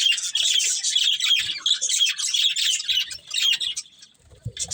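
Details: A breeding pair of budgerigars chirping in a steady run of buzzy, squeaky warbles that fades briefly near the end before a final burst.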